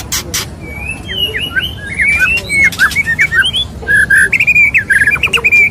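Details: Courting male white-rumped shama, murai batu, addressing a female: clear swooping whistles give way to a fast, rattling series of clipped notes, with a few scratchy bursts at the start.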